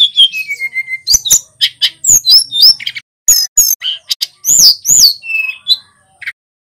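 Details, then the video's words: Pacitan male Sulingan gunung in vigorous song, opening with a falling series of whistled notes, then rapid sharp upsweeping chirps and slurred whistles, ending in a short steady whistle and silence. "Burung SULGUN Jantan GACOR"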